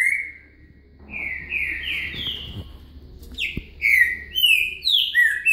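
A green-winged saltator sings a run of rich, clear whistled phrases that slide up and down and grow louder toward the end, over a faint low hum.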